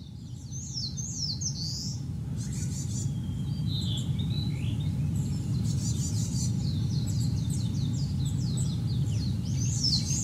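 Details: Narcissus flycatcher singing on Mount Rokko, Hyogo, Japan, on 21 May 2020, in spring: a run of quick, high, sliding whistled phrases, some buzzy, over a steady loud low rumble.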